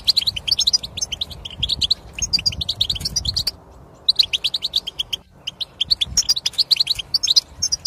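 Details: European goldfinch singing, a recording used to prompt silent goldfinches into song: bright, fast liquid twitters and tinkling chirps in bursts, with a short pause midway, then more rapid twittering phrases.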